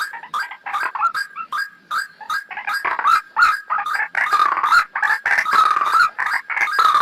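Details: White-breasted waterhen lure call used for trapping: harsh, croaking notes tumble over one another in a dense, rapid series, loud bursts crowding together with barely a pause between them.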